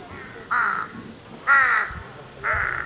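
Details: Crows giving three drawn-out harsh caws, each about a third of a second, used to attract crows, with a steady high buzzing background.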